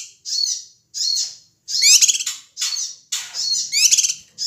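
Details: Noisy male cucak kinoi (ashy tailorbird) from Sumatra, used to provoke other birds: high, slurred, buzzy notes alternating with fast rattling trills, in steady bursts under a faint low hum.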